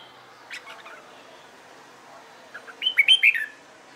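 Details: Red-whiskered bulbul practising fighting song: soft scattered chips, then a sudden loud burst of four sharp, rising and falling whistled notes.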